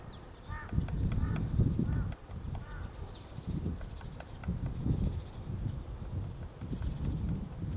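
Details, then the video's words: White-backed woodpecker excavating a nest hole in a tree at Gongsanseong Fortress, Gongju, Korea, on a March 2024 morning: uneven dull pecking blows, with brief higher calls from other birds in the background. "둥지를 파는 큰오색딱다구리 White-backed woodpecker digging a nest"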